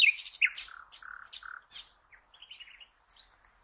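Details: Common nightingale singing, offered as training song for cage birds: a loud opening of rapid clicks and ringing notes, then quieter short whistled and chattering figures with pauses.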